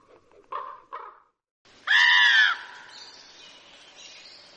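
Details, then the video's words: Common raven in Wisconsin: two short, low, hoarse croaks, then one long, loud, harsh rasping call with strong harmonics, followed by quieter fading noise. "Common Raven"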